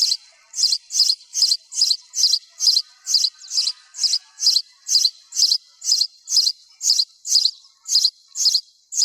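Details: Sparrow with the recording noise-reduced, giving bright high chirps about twice a second, some twenty in a steady run, each a short clipped double note.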